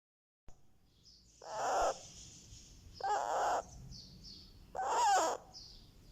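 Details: Baby Indian ringneck parakeet making happy sounds: three harsh, raspy squawks about a second and a half apart, the last with a brief whistled inflection. Fainter high twittering runs in the background.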